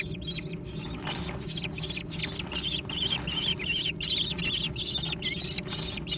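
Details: Young American kestrels fighting over food, a steady stream of loud, overlapping shrill squeals broken by brief gaps, with rustling and a low hum underneath.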